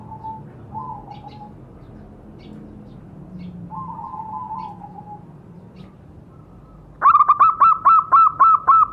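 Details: Zebra dove sound used to coax captive doves into calling: soft, low murmuring coos at first, then a loud, rapid string of about seven crisp, staccato fluty notes at the end.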